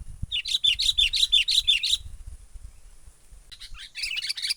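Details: Wild sooty-headed bulbul giving an agitated lure call for trapping: about eight rapid, bubbly chirps in under two seconds, a pause, then another burst of jumbled chirping, with a steady high electronic whine behind.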